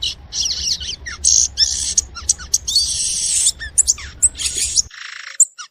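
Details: Violaceous euphonia singing in nature: a busy, varied stream of high twittering, buzzy phrases and downslurred notes over a low background rumble that stops near the end.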